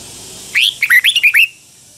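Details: Red-whiskered bulbul, Pala-u bird from Thailand, sings one 'double' style phrase: a clear upward-sweeping whistle, then a rapid string of five lilting, bouncing notes in a loud, clean recording.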